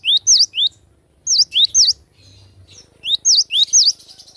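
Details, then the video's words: Cinereous tit, recorded wild, delivering ringing high whistles in bursts of three to four swooping notes separated by roughly one-second pauses. "Glatik batu suara asli alam liar gacor"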